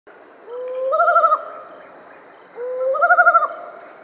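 Mottled wood owl giving two low, rising hoots about two seconds apart, each swelling into a quavering, tremulous ending.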